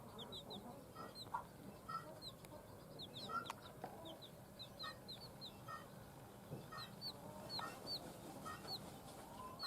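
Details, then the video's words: Baby chicks just out of eggs hatched by a hen peep continuously. The high, piercing calls slur downward and come in quick pairs and triplets, with a few clicks and a faint background hum. "JUST BORN "Chicks Chirping" Sounds"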